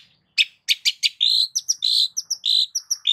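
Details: Cendet (long-tailed shrike) lure singing: a few clipped, stacked chirps lead into a fast mix of high, level whistles and short slurred notes.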